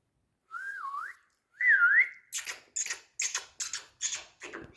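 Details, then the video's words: Pet Indian parrot kept indoors, described as loving to talk: two wavering, up-and-down whistles, then a quick series of harsh, raspy, speech-like bursts repeated about twice a second. "Indian Parrot🥀Candy Love to Talk"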